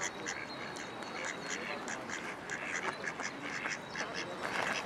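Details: A female Mallard of park-duck type in urban Amsterdam, 3 April 2011, gives a run of short, hoarse quacks in quick succession against a steady hum of park noise.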